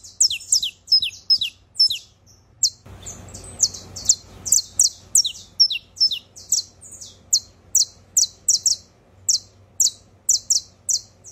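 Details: Saffron finch (Sicalis flaveola) trilling, offered to stimulate other birds to sing: a long run of sharp, high chips, about two each second, with a brief burst of rustling noise partway through.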